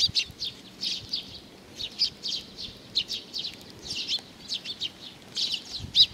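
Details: Sparrows flocking in for food at Tenmangu, Nakanoshima, 7 June 2020: a steady scatter of sharp high chirps from several birds, somewhat softer and more distant, over quiet background noise.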